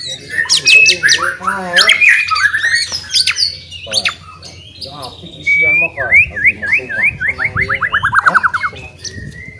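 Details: White-rumped shama, a murai whose loud song is meant to anger rival birds into fighting, giving harsh squawky notes and mimicked chatter, then a long rapid trill of descending repeated slurs, over a low hum.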